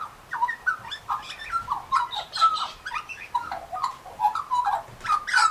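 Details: An Australian magpie warbles among pink galahs, pouring out a dense, unbroken jumble of liquid, bubbling notes, some brighter and squeakier toward the close.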